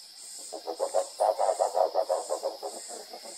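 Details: A Rusty-barred Owl (Strix hylophila) gives a fast, throaty, frog-like series of low hoots, about five per second, swelling then fading, over a steady high insect hiss; Salesópolis, São Paulo state, Brazil, March 2023.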